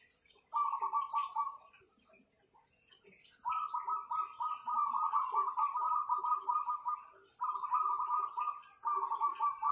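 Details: Several kept zebra doves, praised for a powerful voice: mellow, rapidly pulsed cooing phrases in a steady mid-low pitch, given in long rolling bouts of one to four seconds with short pauses between, in a quiet room.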